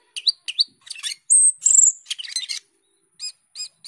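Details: Energetic gacor teler singing of an Asian glossy starling (cucak keling): twangy rising notes and buzzy chatter, two long piercing whistles, a scratchy jumble, then three evenly spaced ringing chirps after a pause.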